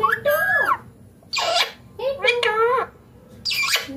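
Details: Green Indian ringneck parakeet talking clearly: a few speech-like syllables with strong harmonic, nasal-sounding tones that bend up and down, broken by short hissy consonant bursts and brief pauses.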